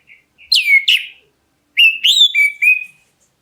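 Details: Calling black-breasted oriental magpie-robin, meant to provoke other birds into answering, gives two loud downslurred whistles, a short gap, then four clear ringing notes, the last ones flat and drawn out.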